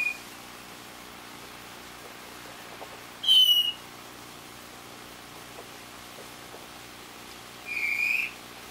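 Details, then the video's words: Varied thrush heard in the rain: a long, eerie whistled note with a buzzy edge, then several seconds of quiet before a second, lower whistled note, against steady faint hiss. "Varied Thrush~RainSong"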